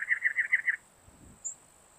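A cactus wren gives a quick harsh, rasping series of about six chugging notes in under a second, over a steady thin high hiss, probably insects.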